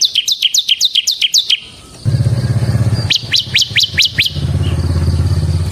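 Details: Ciblek semi (bar-winged prinia) in full, continuous ngebren song: bursts of sharp, high, down-slurred chirps repeated rapidly, a pause, then another chirping run, over a steady low engine-like hum.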